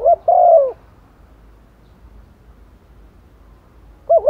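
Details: Female spotted dove kept as a decoy, calling to males in the rainy season: one low coo phrase of a quick double note and a longer falling note, then quiet, with the next phrase starting at the end.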